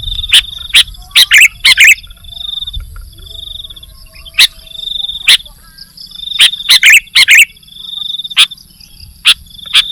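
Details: Sooty-headed bulbul singing actively: short bubbly phrases of a few quick, slurred notes in bursts, among sharp clicks and a steady thin high whine in the background.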